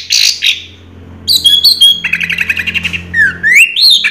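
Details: Orange-headed thrush giving 'Raja Teler' song: rough squeaks, clear high whistles, then a fast even trill of repeated notes ending in rising and falling slurred whistles.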